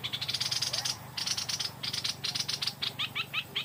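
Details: Stripe-throated bulbul singing in the evening, drawn in by a decoy bird: dense bursts of bright, rapid chattering notes, then a run of quick downward-slurred whistles near the end.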